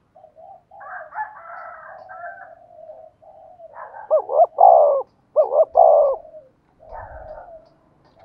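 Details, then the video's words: Spotted dove used as a decoy, 'giọng thổ' voice style. Soft low coos and a rougher, higher, overlapping sound open the recording, then two clear phrases of two short coos and a drawn-out rolling coo, with a brief low thump near the end. "tiếng cu gáy mồi chuẩn giọng thổ hay"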